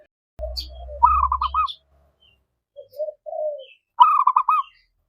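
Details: Zebra dove song aimed at calling a rival and stirring it to answer: a soft low note, a quick burst of rolling staccato coos, a pause, lower murmured notes, then another rolling burst, over a brief low rumble.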